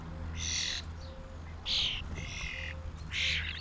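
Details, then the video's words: A starling family drawn to mealworms in 2016 gives four rough screeching bursts in under four seconds, two much louder, with a faint steady tone and low hum behind. "Starling family 2016"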